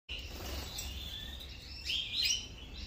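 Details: A European goldfinch at breakfast gives thin, high, tinkling chirps that grow louder and more twittering toward the end, over a steady low rumble.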